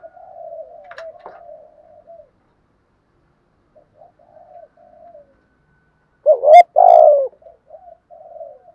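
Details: Spotted dove urging coo, used to stimulate a caged bird to call: soft, low murmured coos, a pause of near silence, then a loud two-part coo and more quiet trailing coos.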